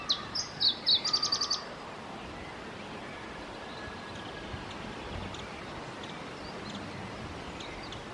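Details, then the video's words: A singing male Iberian Chiffchaff at Testelt, Belgium, on 7-5-2017 gives one short, high song phrase: a few separate chipping notes quickening into a brief run, then steady background hiss with one last note. "Singing male Iberian Chiffchaff - Phylloscopus ibericus"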